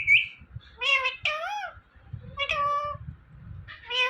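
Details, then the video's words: Talking parrot saying "Mithu": a high squeak, then several nasal, voice-like syllables, one swooping upward and down, repeated with short gaps. "Talking Parrot Saying Mithu"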